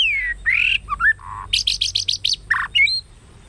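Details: White-rumped shama in competitive kéo thuốc lào singing: rich varied phrase of descending whistles and a low note, then a fast series of six high buzzy notes, ending in harsh and rising whistled notes.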